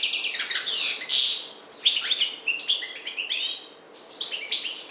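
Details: A European goldfinch, parva, Maghreb, sings a lively twitter starting with a loud buzzy burst, followed by chirps and slurred whistles, a short lull near four seconds, then renewed twittering.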